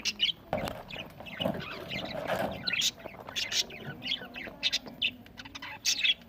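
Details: Budgerigars chirping while eating on November 1, 2023, giving short, high, squeaky chirps in quick irregular runs, with a few louder clicks and a soft low rustle underneath.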